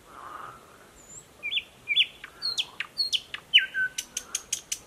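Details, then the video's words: Thrush nightingale newly back in streamside thickets, Mogilev district, Belarus, 11 May 2021, giving slurred, drawn-out whistled notes followed by a quick series of dry clicks; frogs from a nearby pond are faintly audible. "Поет восточный соловей."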